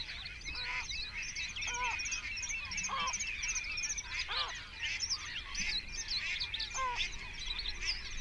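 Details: Great crested grebes at nests packed close together, about twenty birds, 21 June 2024; single loud, nasal, downward-arched calls every second or so, over dense, busy chirping from small birds.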